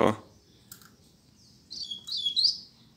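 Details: Caged coleiro (double-collared seedeater), its cage held in the hand, beginning to sing: after a sharp click, two short bursts of high, thin, twittering notes near the end, otherwise quiet with faint low background hum.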